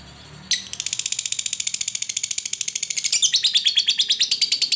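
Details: Lovebird giving a long ngekek chattering trill, used to prompt other lovebirds to sing: a sudden start, then rapid, even, high-pitched notes about eight per second. Notes grow louder and harsher near the end, with faint low hum behind.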